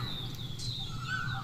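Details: Birds calling near a tree among fields: thin, high drawn-out whistles and a lower sliding whistle, over a steady low engine hum.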